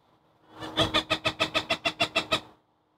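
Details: Cooper's hawk in Chicago, November, scolds a long-eared owl it is harassing: around eleven rapid, rasping cak notes in under two seconds, evenly spaced and fairly loud, then quiet.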